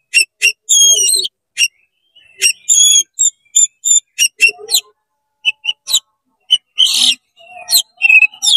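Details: Provoking song of an oriental magpie-robin: crisp staccato clicks and pure high whistles in quick series, broken by a brief rough, noisy burst, then more clipped notes.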